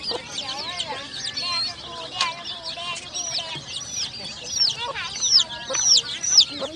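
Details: Many colourful chicks give shrill, high peeps in a busy overlapping chorus, some notes sharply falling, growing louder toward the end.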